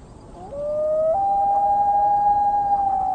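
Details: A Common Loon on a lake, likely at dusk, gives its long, mournful wail, a pair contact call meaning "I'm here, where are you": a pure, hollow tone that climbs in a step and holds steady for several seconds.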